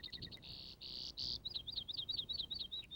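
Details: A Brewer's sparrow in western sagebrush, part of the springtime chorus, sings a high, fast medley: a few quick chips, two or three dry buzzy trills, then a long rippling warble of rapid notes.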